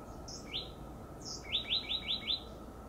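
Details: From a high perch, an oak titmouse gives two thin high whistles, then a rapid run of five slurred notes in about a second. A faint steady hum runs beneath.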